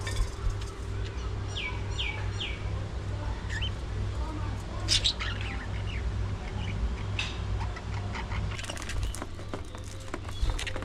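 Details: Budgies at early morning feeding time give repeated downslurred whistled chirps early on, then mixed chirps and clicks, over a steady low hum.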